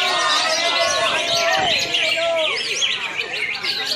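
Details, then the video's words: A Greater green leafbird sings at a bird-song contest in Singkawang, a dense, rapid stream of bright whistles, slurred notes and chattering trills, overlapping other songbirds and human chatter. "SUARA BURUNG | Aksi Cucak Hijau"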